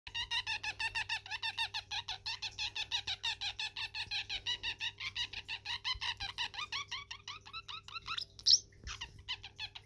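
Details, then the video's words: Pet male parrotlet singing while dancing indoors: a long run of rapid, evenly repeated chirpy notes, about three per second, each sliding downward, fading near the end before a sharp squeak; steady low hum beneath. "Zorro the Parrotlet doing his dance and sing song!"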